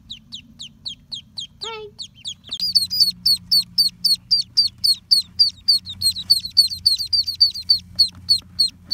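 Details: Six orphaned ducklings, hand-raised after falling into a storm drain, on the first day of summer, peep steadily in high, sharp, downslurred notes, about three or four a second, over a low hum.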